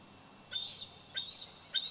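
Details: Bald eagle eaglet, 104 days old, at the Big Bear Valley nest, recorded on 27 July 2019 by nest camera: three thin, high whistled chirps, each sliding upward and then levelling out, spaced about half a second apart over faint background hiss.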